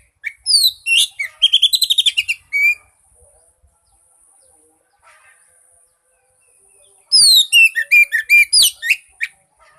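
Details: Oriental magpie-robin song played to stir a silent bird into singing: a fast stuttering burst of repeated sharp whistled notes for two seconds, a long quiet pause, then another rapid volley of varied downslurred whistles.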